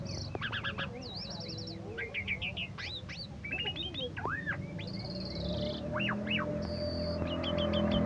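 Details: Lively song from a champion Asian pied starling: clustered chirps, a wavy trill, repeated arched whistles and two drawn-out buzzy notes, with a low hum growing louder toward the end.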